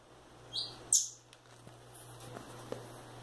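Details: Two young Rufous-bellied thrush chicks, a male and a female, growing up loose in a house, give two or three short, thin, high chirps in quick succession, then fainter peeps, over a steady low electrical hum.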